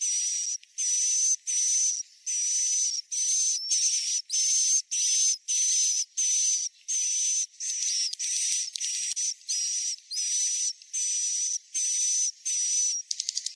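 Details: Roosting calls of swiftlets, used as a lure for a new or unoccupied bird house: a long, steady series of buzzy, hissing chirps, each carrying a thin high whistle, repeated at a fairly even pace of roughly one and a half per second, ending in quicker, clipped bursts.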